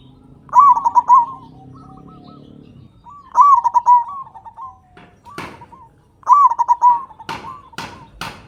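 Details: Strong-voiced local zebra dove used as a master bird to trigger song in other caged doves; three loud bubbling coo phrases, each trailed by quieter notes, with a low hum early and several sharp clicks near the end.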